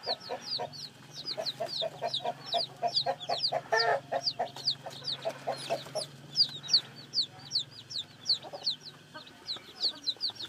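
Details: Newly hatched chickens peeping: dense, rapid, high descending peeps repeated many times a second by several chicks, mixed with lower clucking notes and a louder burst near the fourth second.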